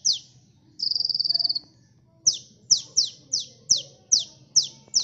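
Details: Lure recording of a sunbird singing energetically: a sharp high note, then a dry buzzy trill lasting nearly a second, a brief pause, then evenly spaced piercing downslurred chips, roughly two per second.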